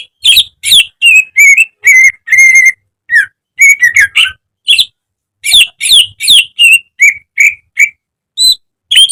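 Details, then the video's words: Caged greater green leafbird in a training recording, singing a busy, varied song: sharp whistled notes and chirps in quick bursts of about 2.5 per second, some clear level whistles, with a short pause midway and no other sounds. "Masteran cucak ijo agar cepat rajin bunyi~gacor setiap hari"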